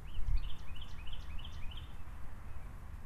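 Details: American goldfinch at a feeder giving a rapid string of about six high, rising chip notes, over strong low-pitched rumble.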